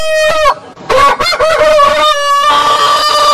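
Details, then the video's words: Roosters of heritage breeds crowing: a short crow, then overlapping crows with long held tones, dense and loud throughout. "Rooster Sound Alarm Suara Ayam Berkokok Panjang Gallos Cantando Chicken Song Rooster Crowing"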